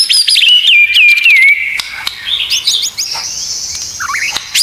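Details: White-rumped shama song, 'isian tembakan' masteran style: a quick run of falling whistles and a long held note, then fainter high thin whistles and a few short upslurs.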